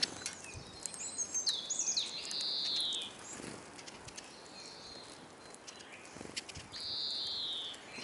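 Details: Hungry Eurasian siskins (Spinus spinus), many at a bird table in Kolmården, Sweden, recorded from the ground beneath it, give thin, drawn-out, falling wheezy calls among scattered high twitters and soft outdoor hiss.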